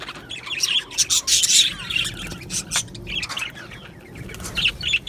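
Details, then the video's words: Australian budgies in a colony give scattered bursts of sharp chirps and short squawks, separated by brief quieter gaps, with several birds overlapping at times. "Budgie Sounds for lonely Budgies | Happy Budgies Birds Sounds"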